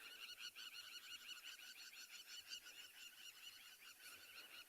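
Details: At dusk in Tswalu Kalahari Reserve, South Africa, on 20 June 2020, Crowned Lapwings, possibly nesting, give shrill, strident alarm notes in a rapid, frantic, overlapping chatter as a lioness stalks nearby.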